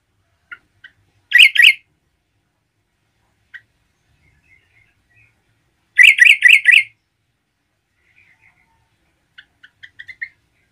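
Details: Yellow-vented bulbul in full, lively song, used to rouse and provoke other bulbuls: two loud bursts of rapid bubbly, chattering notes, with sparse soft chips and short whistled notes between them. No other sounds.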